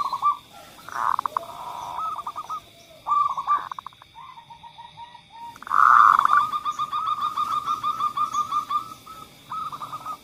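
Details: Zebra dove song played to lure doves that seldom sing: broken cooing phrases, then a loud burst leading into a long run of fast repeated coos, over a steady high hum.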